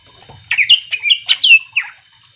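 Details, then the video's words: Short outburst from a chatty greater green leafbird, used to provoke other leafbirds to sing: six or seven loud, clear whistled notes, mostly falling slurs, delivered in quick succession. "Cucak ijo gacor AMPUH bikin burung mu langsung emosi ikutan bunyi"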